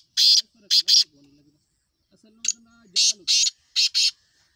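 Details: Kala teetar (black francolin) calling in two phrases of rough, broadband notes, three then five, with soft low voice-like droning between them.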